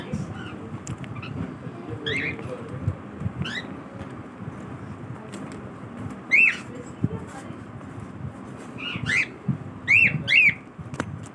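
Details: In its morning routine, a cockatiel repeats shrill, rising chirps, scattered early on, then clustered in loud bursts toward the end, over a low household murmur.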